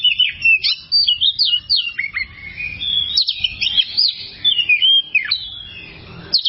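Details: Oriental magpie-robin (kacer) song as a long tutor recording: rich whistled phrases, sharp rising and falling notes and quick chirps strung together rapidly, bright and high, with brief pauses between bursts.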